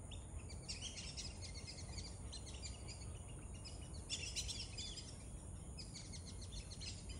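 Black-bellied whistling ducks give bursts of high, squeaky, chattering whistles in three bouts, over a steady low rumble of wind or background noise.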